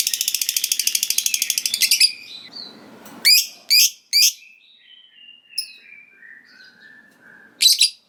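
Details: Lovebird in ngekek song, the long trill said to set rival lovebirds answering: a two-second run of rapid buzzy pulses, then three loud sharp chirps, thin descending whistles, and a final burst.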